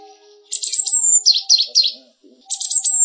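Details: Java sparrow song used as a tutor recording for canaries: quick, high, clicking chirps and twittering runs in two bursts around a short pause, over faint steady low tones.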